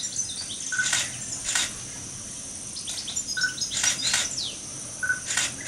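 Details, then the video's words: European bee-eaters trade quick, high chirps and short falling notes in a busy stream, with a lower clipped note every couple of seconds and some sharp clicks. "Merops apiaster - European Bee-eater - Gruccione"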